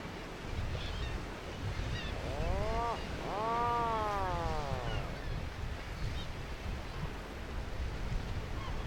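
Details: Atlantic puffin over sea cliffs in Newfoundland, Canada, giving two drawn-out, moaning calls, the second longer and slowly falling, over a steady roar of wind and surf.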